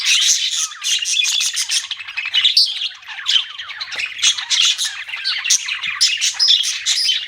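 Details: A group of budgies keep up nonstop chirping, a dense scratchy warble laced with squawks and short rising and falling notes.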